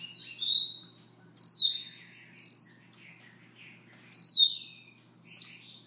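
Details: Soft morning song of a Siberian rubythroat. Five short, bright whistled phrases, each sliding downward, come about once a second, with faint scratchy notes in between, against a silent background.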